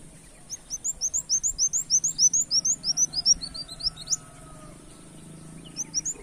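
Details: Kolibri wulung, the brown-throated sunbird, in canary-mimicking song used as a lure: a quick string of sharp, rising high notes for about three and a half seconds, a pause, then the chips resume.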